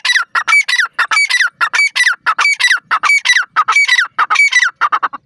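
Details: Dakhni partridge (teetar), a pet bird, calling loudly in a fast repeated series of harsh, rasping notes, each burst ending in a bright whistled upslur, about ninety-four notes a minute, with no other sounds.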